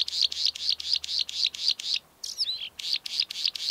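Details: Northern rufous-spotted Bluethroat in Poland's Karkonosze mountains: loud, ringing buzzy notes repeated about four times per second, broken once by a brief varied twittering phrase, then the fast repetition resumes.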